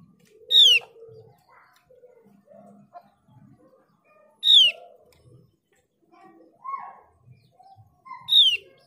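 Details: Mees's white-eye lure for prompting other white-eyes to sing: three strong descending whistled notes spaced about four seconds apart, with scattered soft chirps and low murmurs in the gaps.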